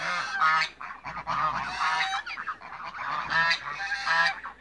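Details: Mixed-age African geese in a backyard calling noisily: harsh, buzzy honks from several birds overlapping, louder bursts at the start and end.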